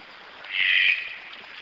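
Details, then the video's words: Red-breasted toucan giving a single hoarse, croaking note of about half a second, fairly loud against a quiet hissing background. "CANTO DO TUCANO DE BICO VERDE"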